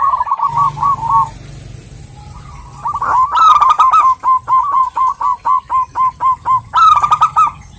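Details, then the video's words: Calling female zebra dove of local stock summoning a male: a short rolling phrase, a quiet gap, then a harsh burst followed by evenly spaced clipped coo notes about four per second, and a final rolling flourish. "burung perkutut gacor betina memanggil jantan ini"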